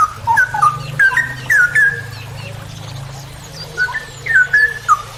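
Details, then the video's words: Straw-headed bulbul (cucak rowo) tutor recording for songbird keepers, long ropel style: loud mellow whistled notes sliding down and warbling in clusters with short pauses, over a steady low hum. "MASTERAN cucak rowo Berkelas||ROPEL PANJANG"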